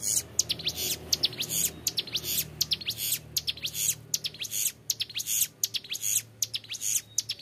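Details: Young Bar-winged Prinia singing long, clear 'ngebren' phrases for tutoring: shrill buzzy trills and thin upward sweeps in repeated bursts, slightly softer, with a faint low hum underneath.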